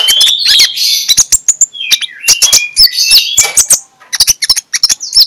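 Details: Oriental magpie-robin in the morning, its ngeplong-style song used as a lure to get sluggish magpie-robins singing: loud, flowing, varied whistles and sharp rising notes mixed with rapid clicks and buzzy chatter, almost continuous.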